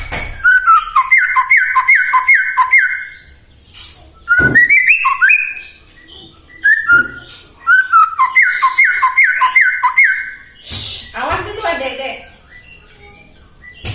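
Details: White-rumped shama song meant to provoke other shamas to sing: bursts of rapidly repeated down-slurred whistles separated by short pauses, with a harsh rasping note near the end.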